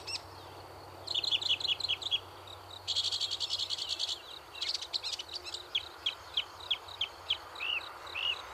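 A Northern mockingbird sings bright, high phrases, each repeated several times before switching: chirped notes, a fast buzzy rattle, then looping whistles.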